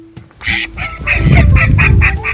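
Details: Kept call duck, recorded to compare the calling volume of female and male birds: one loud harsh quack, then a run of about six quick nasal quacks, over low rumbling and a faint steady musical tone.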